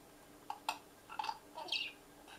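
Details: A pet parrot gives half a dozen short, scratchy chirps and squeaks over two seconds into an empty feeder, with a hollow, echoing ring; the owner thinks it likes the echo.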